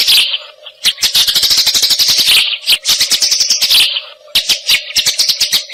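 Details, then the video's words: Eurasian tree sparrow song used for training songbirds; spaced sharp chips lead into quick chattering phrases separated by short silences, all high-pitched over a faint continuous hum. "Suara Greja Taraung kualitas HD"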